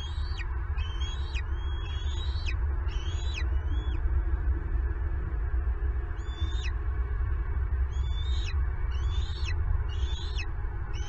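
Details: Wild bald eagle on a Southwest Florida nest camera as an intruder makes off with the male's turtle for the eaglets: sharp piping whistles with falling tails in rapid bursts, a short pause, then more bursts, over low droning noise.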